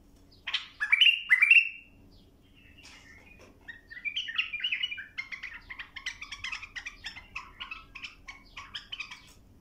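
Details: A bulbul song used to teach young birds: three bright rising-and-falling whistles in quick succession, then a pause, then a long, rapid chattering sequence of short warbled notes.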